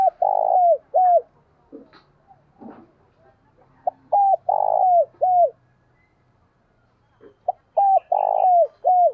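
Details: Lure recording of a spotted dove's 'thổ sấm' style song: two full cooing phrases about four seconds apart, each with clipped notes, a long rough central coo and a downward-bending final note, with faint clicks between.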